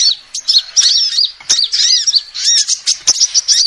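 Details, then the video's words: Short burst of a female sunbird calling, used to lure birds: shrill, quickly repeated chirps and swooping, arched notes with crisp clicks between. "SUARA ASLI KOLIBRI BETINA"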